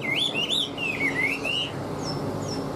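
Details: Chinese hwamei, a caged Vietnamese bird said to sing while nodding its head, gives a rolling chain of clear whistled slurs for under two seconds, then only faint distant high notes.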